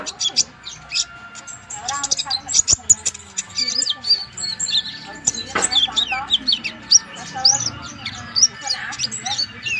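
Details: Flaming sunbird, a small Javanese songbird also called kolibri ninja or kolibri raja, singing vigorously as a master recording for training birds: rapid high thin chirps and twittering notes, with other birds twittering around it.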